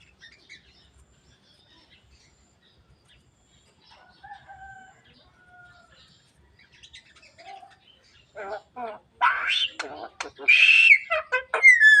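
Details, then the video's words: Javan myna talking until it coughs: faint sparse notes and two soft whistles at first, then loud harsh, broadband calls and sharp chattering notes in quick succession toward the end. "burung jalak kebo ngomong sampai batuk"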